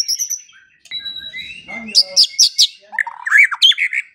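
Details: White-rumped shama singing in a morning and evening training recording for songbirds: a long thin whistle, a pause, then quick bright chips and a tumbling burst of varied whistled phrases.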